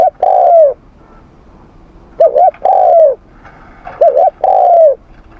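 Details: Spotted dove cooing during morning voice training: a long sliding coo, then two phrases of a quick double note followed by a drawn-out falling coo.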